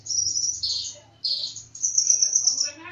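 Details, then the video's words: Lively bird song of high, shrill rattling trills in two bursts separated by a brief pause, then a sustained thin chattering phrase. "KONIN DACOK GACOR"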